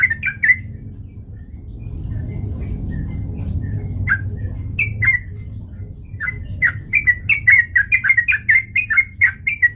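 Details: Lure song of a sooty-headed bulbul to provoke fighting, opening with a quick warbled burst, scattered single notes, then a long fast chatter of bubbly whistles, with a low hum throughout.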